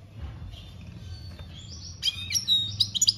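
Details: European goldfinch in "campero" song, 2021: soft thin notes at first, then from halfway a brighter burst of fast tinkling, slurred high twitters, with faint low hum underneath.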